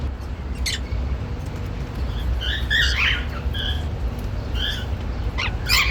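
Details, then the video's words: Normal grey cockatiels, one male and one female, in a happy mood: a few scattered short whistles and a cluster of scratchy chirps in the middle, with sharp clicks at the start and end, over background hum. "Cute Male & Female Normal Grey Cockatiels Making Happy Sounds"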